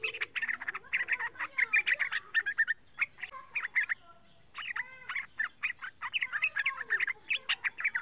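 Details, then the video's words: Lure calls of a young yellow-vented bulbul, three months old, meant to set other bulbuls singing; busy bursts of sharp chirps broken by a short gap, with a few lower slurred whistles mixed in. "SUARA PANGGILAN TRUCUKAN MUDA"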